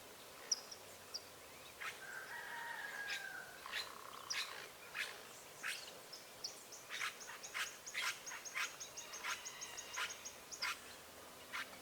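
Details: Free-living azure jays visiting a rural smallholding where wild birds are fed, giving harsh clicking notes, short nasal drawn-out calls near two and four seconds, and rapid dry bursts later, with high thin whistled series and soft background hiss.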